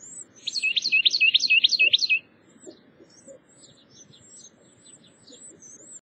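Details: Carolina wren nestlings being fed by a parent in the early morning give a burst of rapid, high, buzzy begging calls for about two seconds, then fainter scattered chips over a low background hum.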